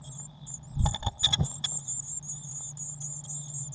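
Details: At a Eurasian blue tit nest box on 19 May 2019 with a waxworm feeder, a cluster of loud thumps and scraping gives way to a continuous stream of thin, high chirping over low hum.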